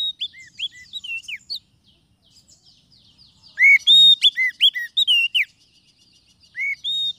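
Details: Oriental magpie-robin lure song for trapping wild birds or prompting quiet ones to sing: clear whistled notes, upslurred and downslurred, mixed with sharp chirps in two bursts separated by a silent pause.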